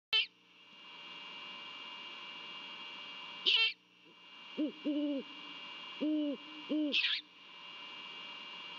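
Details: Great horned owls mating at a nest in Savannah on Christmas Eve night, 24 December 2021, male and female duetting: deep paired hoots in a short series, broken by three brief high, thin squealing calls, over a steady high electronic hum.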